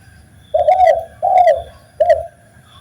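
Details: Spotted dove cooing on a master recording meant to train birds: three loud, low, hollow coo notes in quick succession, the first two longer and rolling, the last short, over a soft low background hum.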